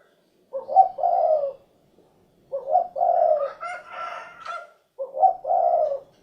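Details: Spotted dove, called derkuku, making three hoarse cooing phrases in the cukurukuk kuk geruk pattern, two seconds apart, while a higher, brighter call from another bird overlaps the middle phrase.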